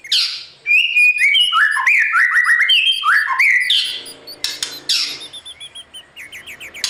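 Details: White-rumped shama singing in the morning to tutor wild-caught birds for fierce contest singing: loud, varied whistled phrases of rapid slurred notes dropping in pitch, sharp clicks, and a fast chattering trill near the end.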